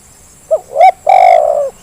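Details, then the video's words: Spotted dove used as a lure to get reluctant doves calling: a short hollow note, a rising coo, then a long rolling purred coo, low and tonal, loud and clear. "Suara pancingan terkukur yang malas jadi bunyi"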